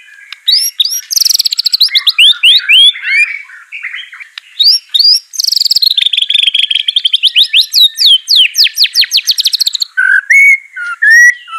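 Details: Varied, fast song from a caged white-rumped shama trained to sing: high descending whistled trills, rapid sweeping note series and buzzy chatter, ending in lower whistles.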